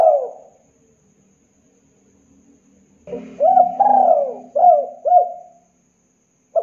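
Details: Spotted dove cooing, played as a lure to make doves sing quickly. A single coo is followed by a pause, then a rolling phrase of four or five soft, rounded notes over a faint low hum.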